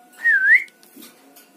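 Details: Single loud whistled note from a word-mimicking Javan myna, swooping down then up in a smooth curve and lasting about half a second, followed by faint background sounds.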